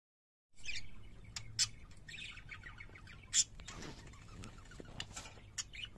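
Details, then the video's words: Pet parakeets singing, with scattered bright chirps and short squawks at 2–8k, some sharp clicks, over a low steady hum. "Singing Parakeets"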